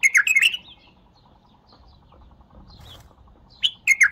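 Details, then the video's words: Bulbul gives a fast, rollicking burst of rich chirped notes, a quiet gap with a faint soft note, then another lively bubbling phrase. "اقوه تغريده بلبل تمر"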